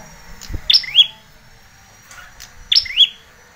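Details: Bar-winged prinia, a young red-headed bird, used as a lure and as a master song for training young birds: two sharp, bright chirps, each a quick high note sliding down into a short buzzy trill, about two seconds apart.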